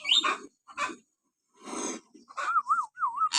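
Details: Common hill myna, natural whistles meant to stir pet mynas into singing: raspy broad notes, then a wavering, undulating whistle repeated twice, ending with a sharp high note.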